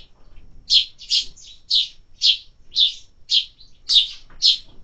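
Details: Sparrows that are being fed in summer give sharp, high chirps, about two per second, in a steady series of ten notes. A few faint low knocks sound in the background.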